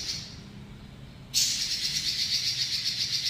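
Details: A robin's long rolling song bursts in after a quiet second, a loud, high, evenly pulsed trill repeating its rapid rattling notes without a break over low background hum.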